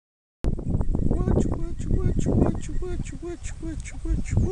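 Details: A domestic Rufous-vented chachalaca in the Caribbean gives a raucous, overlapping chorus of harsh, nasal clucking notes, about three a second, some ringing and downslurred.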